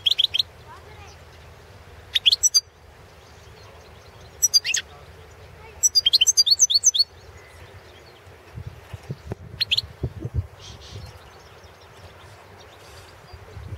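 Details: European goldfinch of the Balkan subspecies carduelis balcanica, entry in the 2016 World Championship in Goldfinch Song: short bursts of high, tinkling twitters and chirps every two seconds, quiet gaps between, a few low thumps near the end.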